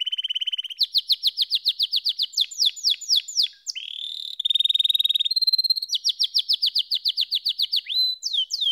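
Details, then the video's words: A Belgian canary sings a fast, varied song of rapid trills and rolling, repeated notes, shifting between high pure tones and buzzy sweeps with no pause. "Canary SINGING Like a Pro"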